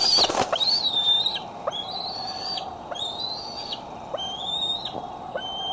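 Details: Bald eagle filmed by the Decorah nest camera on the afternoon or evening of July 6, 2011, giving a run of high, thin whistles. Each one bends up sharply at the start and then levels off, with about three notes every second over steady hum.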